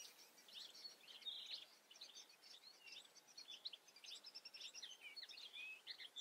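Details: European goldfinch singing in the Eifel: a continuous jumble of bright twittering notes, liquid chirps and short buzzy slurs repeated without pause.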